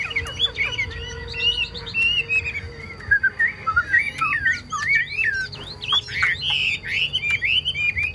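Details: Chinese hwamei pouring out a rich, continuous song of looping whistles, trills and sharp slurred notes that vary constantly, over a faint hum.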